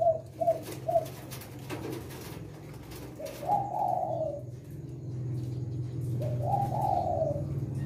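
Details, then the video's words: Spotted dove of the 'Leopard' type singing in the Indonesian 'kuk 6' style: three short clipped coos, then longer rolling, wavering coos after a pause, with a low background hum. "Tekukur Leopard Kuk 6 Gacor"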